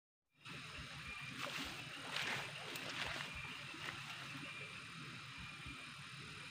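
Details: After a short silence, steady hiss and low rumble set in, with a few soft broadband bumps and splash-like noises, but no distinct animal calls.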